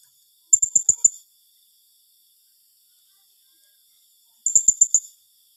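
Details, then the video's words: Blue-crowned hanging parrot in 'tembakan rapat' style, a dense burst call meant to unsettle rivals: two tight bursts of about five thin, piercing high chips each, separated by several seconds of silence. "Suara serindit tembakan rapat || lawan lansung kena mental mendengarnya"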